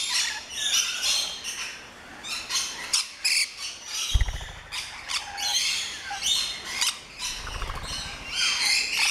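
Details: Rainbow lorikeets in an aviary at an orchid farm in Luttelgeest, Netherlands, a loud flock: rapid shrill screeches and sharp squawks in quick bursts, with a few low thumps.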